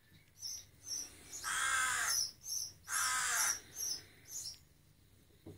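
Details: Baby rook fledgling cawing to be fed: two long, harsh, grating caws close together, framed by short, high, bright chirps repeating in quick succession.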